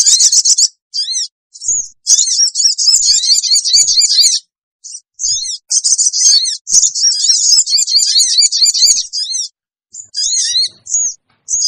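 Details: Sooty-headed bulbul lure recording for drawing wild birds together: dense, high-pitched screeching chatter in long bursts with short gaps, plus a few separate sharp chevron-shaped notes.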